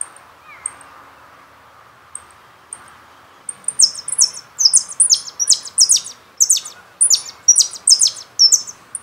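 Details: Jilguero from the Carasucia CD: sparse high chips, then a strong, steady series of loud descending slurred notes repeated a little faster than twice per second.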